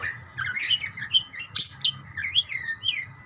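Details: Budgerigars calling to each other with soft warbled chirps and squeaky slurred notes, broken by short pauses and one sharp high squeak midway.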